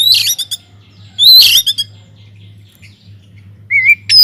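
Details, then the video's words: In a flight aviary, an Oriental magpie-robin sings energetically, as a lure for other birds: rich chattering phrases with whistled upslurs, a quiet gap, then a wavering mid-pitched whistle and a high sharp note over a steady hum. "BURUNG KACER GACOR DIDALAM UMBARAN"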